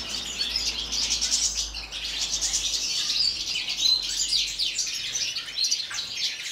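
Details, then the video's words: Several European goldfinches singing together in an aviary in winter at minus four degrees; a dense, continuous chorus of high twittering, tinkling notes and chirps overlapping throughout, with no pauses. "Goldfinches Winter song"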